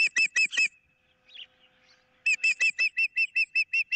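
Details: Osprey calling on 15 April 2023 amid a dispute over a fish, with an intruder in the area: a few piercing whistled notes, a quiet gap with faint chirps, then a steady string of about a dozen shrill, evenly spaced cries.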